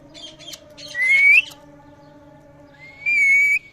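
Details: Parrot making different noises: scratchy chatter followed by a loud rising whistle, a pause, then a second long, level, pure whistled note, with low humming in the background.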